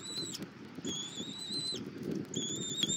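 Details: In the morning at a Southwest Florida bald eagle nest in February 2024, the adult female feeds her eaglet armadillo: thin, high, drawn-out whistled squeals, one long and level, ending with a short dropping tail.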